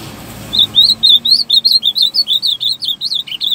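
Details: Ultramarine grosbeak singing steadily: a fast, continuous run of high, sweet warbled notes, each note rising and falling, about four per second for three seconds, over faint low background hum.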